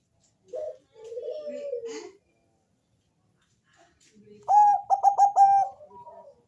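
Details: Bangkok-strain zebra dove with a deep, bassy song meant to prompt other doves to call: a slurred, descending coo, a second of silence, then a quick burst of about five bubbling pulsed notes.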